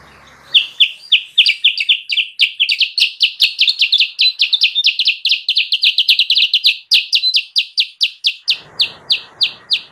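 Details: Kutilang sutra recording meant to attract wild birds: a rapid, continuous series of high, clipped chirps, about four per second, slowing slightly at the end as a soft rushing noise comes in.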